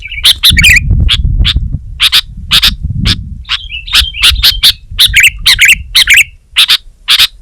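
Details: Sooty-headed bulbul, locally called kutilang, pouring out quick chirps about twice a second, mixed with slurred downward whistles, over a steady low background rumble.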